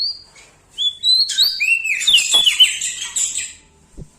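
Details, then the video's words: Loud-voiced Bar-winged prinia from Lombok in full song near bigger birds: a thin high whistle, then a dense tumble of ringing, sliding notes and chirps that overlap for about three seconds before fading. "Prenjak Daun Lombok gacor Mental Juara Nempel Sama Burung Besar Suara Nyaring"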